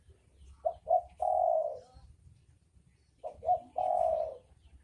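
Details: Spotted doves, male and female, giving two clear cooing phrases: two quick short notes followed by a long, slightly falling coo, repeated after about two seconds over a quiet low hum.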